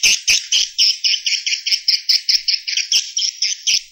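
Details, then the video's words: Swiftlet roosting call, a fast run of short buzzy chirps repeated about four to five times a second, even and sustained throughout with no other sounds. "Suara Inap Walet Terbaik"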